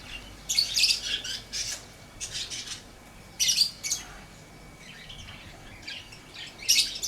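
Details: Lovebird producing clusters of piercing, harsh chirps separated by short silences, some bursts doubled or tripled, over faint steady background hiss.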